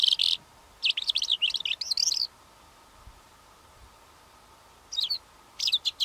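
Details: Song of a Calandra lark, a species noted for singing on the wing. Short bursts of high, rapid chattering notes, a long pause, then two more brief twittery phrases; faint constant hum beneath.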